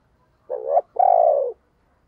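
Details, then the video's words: Spotted dove kept as a decoy to stir other doves to coo, giving one deep coo: a brief wavering first syllable, then a longer hooting note that slowly drops in pitch; quiet background. "Tiếng Chim Cu Mồi dùng Kích Bổi Hiệu Quả Mở Là Gáy"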